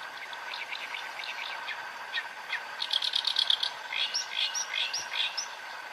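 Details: Reed warbler perched close, about 8 m off, delivering a loud, grating song: rasping chirps, then rapid churring rattles and sharp squeaky upslurred notes in quick succession.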